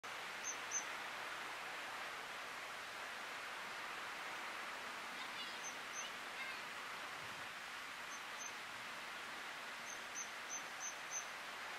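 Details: Northern Wheatear (Oenanthe o. oenanthe) in Akamas, Cyprus, in April 2023 giving thin high whistles paired with hard clicking ticks, in short bursts every few seconds over a steady rush of wind-like noise.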